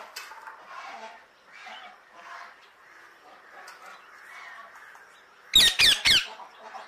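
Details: Alexandrine parakeet giving three loud, harsh, grating squawks in rapid succession near the end, after several seconds of faint, low background murmur.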